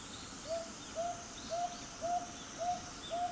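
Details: Brown boobook calling, voice only: a series of six short, slightly rising hooting notes, evenly spaced about every half second, over a steady background hiss of insects and night ambience.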